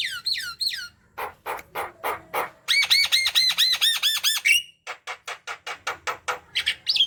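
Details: Lively Javan myna song used as a lure for mynas reluctant to sing: descending whistles, then a fast rhythmic chain of ringing looped notes, followed by rapid dry ticks and a final whistle.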